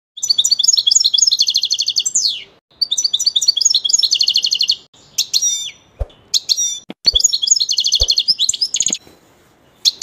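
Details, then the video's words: Kept European goldfinch singing: fast, bright twittering phrases of high trills and liquid notes, three long bursts with short pauses, plus a few sharp clicks and taps in between. "il canto del mio cardellino"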